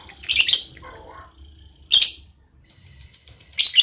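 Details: Ngekek chatter from a relaxed lovebird: three sharp, high, rasping squawk bursts spaced roughly one and a half seconds apart, with a faint low warble after the first.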